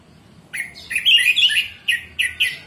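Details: Orange-headed thrush singing a morning 'ngeplong' phrase meant to coax caged birds into song: a chattering tangle of fast whistled notes followed by three short emphatic chirps.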